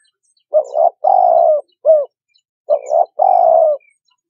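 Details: Spotted dove cooing, used as a trapping lure. Two mellow phrases, each a paired short note and then a longer descending hoot, with a single short note between them.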